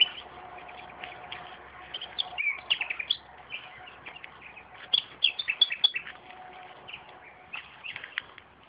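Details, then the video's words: Common nightingale singing near tomato plants in a garden. Varied phrases of sharp chirps and rapid repeated ticking notes arrive in clusters, with quieter gaps between. "Славей пее край домати - Nightingale singing araund of tomatoes"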